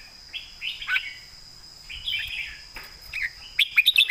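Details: Loud Red-whiskered bulbul singing a southern Thai master-style song: rolling, slurred warble phrases, a short dropping note, then a quick run of sharp bright chirps at the end, over a faint constant high hum.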